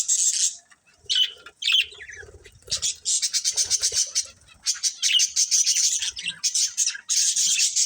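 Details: Breeding budgerigar pair in rapid, raspy, high-pitched chatter. A loud burst opens, a near pause follows, then a long string of pulsing chirps builds toward the end.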